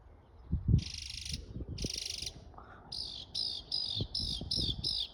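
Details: A bird making different sounds: two long, buzzy, grating bursts, then a rapid series of about seven bright harmonic notes, each sliding downward, with low knocks and thumps in the background.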